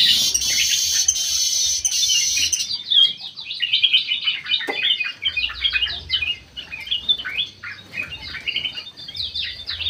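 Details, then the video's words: Bulbul kept in an aviary, very vocal: a harsh hissing rush for the first seconds, then a long run of quick, jumbled chirps and twittering notes that rise and fall in a steady stream. "KUTILANG EMAS MATA PUTIH SUPER GACOR"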